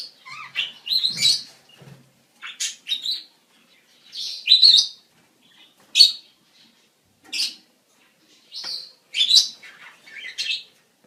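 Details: Mating-season budgerigar chatter: a run of varied twittering notes, squeaks and short rising chirps in irregular bursts, some clipped and buzzy, with quiet gaps.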